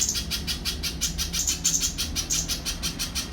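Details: Little spiderhunter giving a fast, regular series of thin, high chips, each note short and evenly spaced, over a low humming background.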